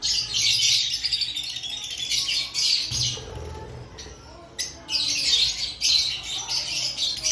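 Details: Aviary lovebirds active ahead of breeding season, keeping up a nearly continuous stream of shrill chirps and squawks, briefly easing around the middle before rising again.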